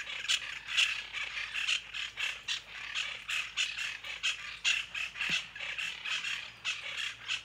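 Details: Plain chachalaca (Ortalis vetula) song: loud, harsh, raucous notes repeated rapidly, about two per second, in a steady grating chorus with no other clear sounds.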